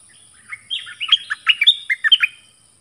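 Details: Singing dok taeng bird dueling with wild birds: a rapid string of sweet whistled notes jumping between high and lower pitches, packed into under two seconds against a quiet background.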